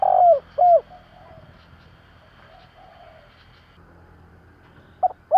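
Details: Spotted dove calling to rouse decoy birds: a rich drawn-out coo and a falling note, soft low murmurs through a long pause, then a new phrase starting with crisp short coos.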